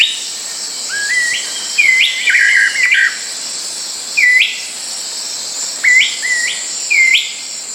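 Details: Blue-backed Manakin (Chiroxiphia pareola) in Brazilian tropical forest: short, bright, rising whistled notes with a slight buzz, given singly or in quick pairs every one to two seconds over a steady high insect hiss.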